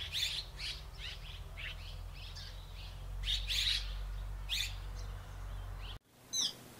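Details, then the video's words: Red-rumped swallow in Córdoba giving short, high chirping calls in quick bursts for about six seconds, several notes per second at times, over a steady low hum, ending in a brief quieter chirp. "Golondrina dáurica"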